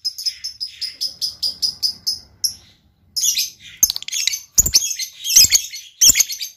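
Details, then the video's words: Lovebird repeating quick, high, squeaky chirps about five times a second, then after a pause breaking into loud, harsh, scratchy chatter with sharp clicks. "LOVEBIRD GAYA MEWAH. SEKALI BUNYi LANGSUNG YAUT.."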